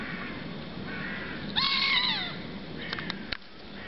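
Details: Wild Alexandrine parakeets, part of a group of six in the Youth Park, Bucharest, Romania, on 1 February 2017. Loud, harsh screeching calls with bending, wavering notes lasting under a second, plus a few shorter squawks, over steady background noise.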